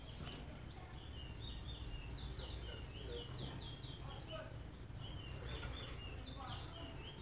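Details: Zebra finches fighting in the early morning give rapid nasal, buzzy chirps in quick overlapping bursts over a low background rumble.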